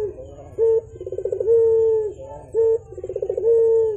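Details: Javan turtle dove calling vigorously, a repeated pattern of one short abrupt coo followed by a fast rolling trill that slides into a long, even, mellow coo, heard twice in succession.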